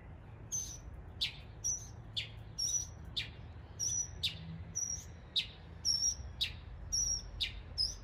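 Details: Mockingbird in East Tennessee copying neighborhood birds: sharp, high clicking notes alternating with short thin whistles, repeated roughly twice a second in a steady, evenly spaced pattern over faint background noise.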